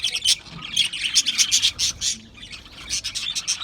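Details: Chirping Australian parrots in a crowd, giving bursts of rasping, high chatter and short squawky notes that dip briefly in the middle before the twittering picks back up.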